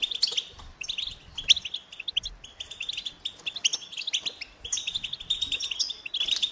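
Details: Goldfinch giving twittering song phrases of clipped chirps and buzzy rolls, with a few brief gaps and faint low thumps in the background.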